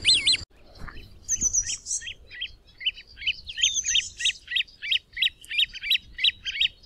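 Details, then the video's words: Great crested grebe calling with short, high piping notes that start hesitantly, then settle into a quick, regular series of about three per second. A brief burst of another sound opens the recording. "Great Crested Grebe (Podiceps cristatus) Call, Song & Sound"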